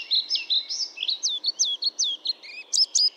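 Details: European pied flycatcher singing a rapid phrase of about a dozen high, slurred whistled notes, each swooping down or up in pitch, delivered in quick succession over three seconds in a clean, quiet setting.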